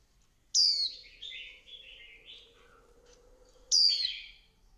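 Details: A female Swinhoe's white-eye stimulating the male gives a sharp high falling note, then a lower rambling twitter, and another high note. A steady low hum runs beneath.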